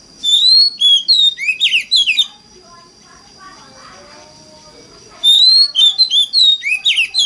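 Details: Oriental magpie-robin lure song in 'forest voice' style, used to get other magpie-robins singing: two bursts of rapid, varied whistles, sweeping and chirping notes separated by a few seconds of quiet, with a constant faint high tone behind.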